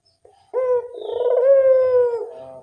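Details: Puter dove giving an elegant lure call: one drawn-out, throaty coo lasting about two seconds, opening with a short note, then a rolling, steady tone that fades with a lower tail.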